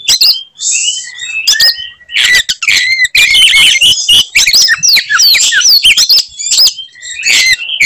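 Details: Oriental magpie-robin provoking other birds with fighting song: a buzzy opening note and drawn whistles, then a loud dense stream of quick chattering and flicked high whistles.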